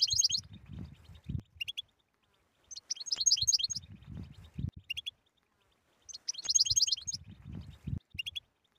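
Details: European goldfinch singing a 'btbta' style song used to prompt silent goldfinches to sing: bursts of bright, liquid twittering with quick high notes, repeating about every three seconds, over soft low thumps.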